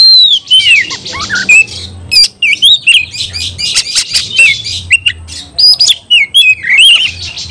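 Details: Song of the oriental magpie-robin meant to trigger fighting: loud whistled slurs rising and falling, interwoven with fast chatter and crisp clicking notes, almost continuous.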